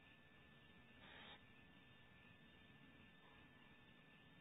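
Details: Barn owl owlet in a nest cavity in California, disturbed as an adult male enters; a single short, harsh, broadband hissing burst lasting about a third of a second, set against a steady low hum and faint background noise.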